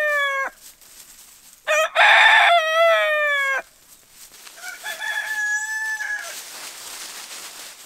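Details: Rooster crowing as a wake-up call, a cut-off crow tail, then a loud full crow with a dense buzzy middle and falling end, followed by a fainter distant crow over background hiss.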